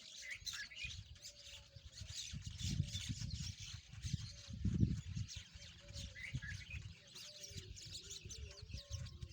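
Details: Peach-faced lovebirds playing together give busy, overlapping high chirps and squeaky twitters over a steady low rumble, with short tonal notes recurring in the background.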